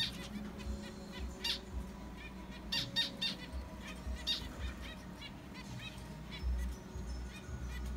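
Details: Two pairs of pet zebra finches that laid eggs in their condo. Scattered nasal beeping calls, some in quick clusters of two or three, with softer chirps between, over a low background hum.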